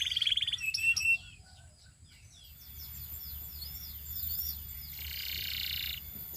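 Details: Belgian canary singing: a fast high trill opens, followed by sharp chirps, a run of quick downward-sweeping whistled notes repeated several times a second, then a dense buzzy roll; faint low hum underneath.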